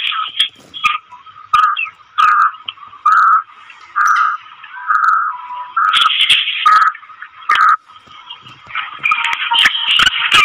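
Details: Female black francolin calling, a call said to excite male francolins and prompt wild males to call. Short, mid-pitched notes come in bursts, with brief pauses between them. Louder, harsher phrases follow from six seconds, mixed with sharp clicks.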